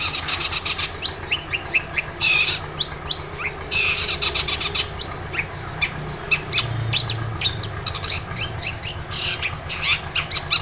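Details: Long-tailed shrike in vigorous, lively song, played to stir a quiet, reluctant shrike into singing at once; dense bursts of high, rapid chirps and scratchy notes, broken by sharp clicking bursts throughout.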